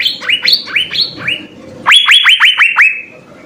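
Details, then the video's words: Asian fairy-bluebird, master recording for training songbirds: a few spaced rising whistles, a short lull, then a louder burst of five or six quick, clear upward-slurred notes. "suara 4 CUCAK BIRU GACOR full isian"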